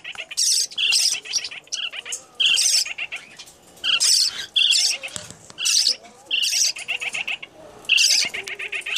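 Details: Baby lineolated parakeet, freshly handfed, still begging a yellow parrotlet for more food: repeated harsh, scratchy squawking bursts, roughly every half second to second, insistent and shrill with brief pauses.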